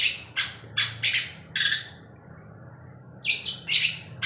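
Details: At night a long-tailed shrike sings energetically with a constantly moving tail: a fast series of five harsh, scratchy bursts, a pause of over a second, then a cluster of sharper high raspy notes, with faint low hum behind.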